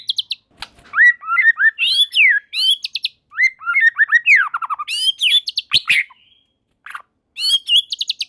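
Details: White-rumped shama singing with other shamas joining in; dense varied whistles, rapid trills and sharp high clicking notes, a brief pause, then further high calls.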